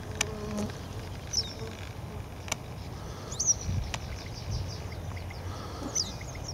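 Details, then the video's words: Western yellow wagtail in Siberia, where it swallowed a big fly, giving thin, high, short downslurred calls three times, about two seconds apart, over low rumbling background noise and scattered clicks. "Голос жёлтой трясогузки"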